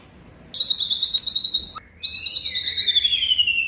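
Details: White-rumped shama song: two pure whistled phrases, the first a steady high note, the second a long slowly falling whistle with faint lower overtones.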